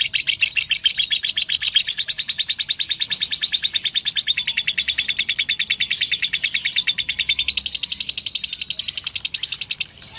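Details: Lovebird ngekek, a long chattering song used as master recording to teach other songbirds: one unbroken stream of fast, harsh, buzzy pulses, high and dense, running steadily for ten seconds with slight rises in pitch midway and near the end.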